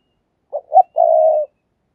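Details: Spotted dove used as a decoy bird, giving its lure call: two short, low, hooting notes followed by one long, level, mellow coo, clean and close with no other sounds.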